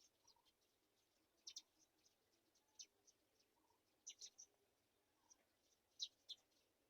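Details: Black-shouldered kite young during a mouse feeding. Short, thin, high screeches arrive in loose clusters separated by quiet pauses, against a faint low background.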